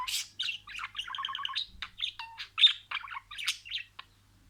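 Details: Pet budgerigar talking, copying words: a rapid, rhythmic string of buzzy pulsed syllables and bright whistled chirps, closely packed and loud against a quiet room.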